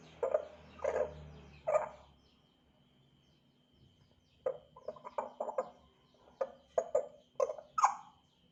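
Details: African grey parrot starting to chirp: a series of short, harsh, clipped notes in uneven bursts, some closely spaced, over a faint low background hum.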